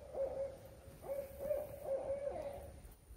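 A barred owl gives a quick run of about five clear, mid-pitched hoots, a few slurred up or down, over two seconds; faint low rumble behind.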